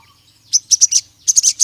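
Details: Crimson sunbird calling to provoke rival males, giving two short groups of sharp high chip notes, three and four notes each, separated by a brief silence.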